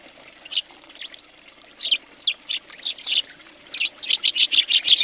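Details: Many house sparrows at a feeder in Recke, Germany, in January 2020: short bright chirps, sparse at first, then crowding into a fast, excited run of overlapping calls near the end.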